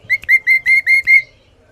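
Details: Loud, clear song of a Sooty-headed bulbul: six ringing hooked whistles delivered rapidly at an even pitch, each note dipping then rising, over a faint low hum.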